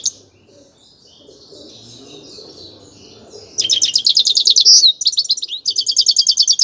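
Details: Grey-crowned goldfinch singing: after a few seconds of faint, soft warbling, a loud burst of rapid, high, buzzy twittering notes runs on, broken by a brief pause before the tinkling trills resume.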